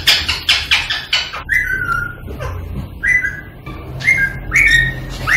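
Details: Green rose-ringed parakeet sound used to encourage singing and mating: several loud clicks at the start, then brief falling whistles spaced about a second apart over a faint background hiss.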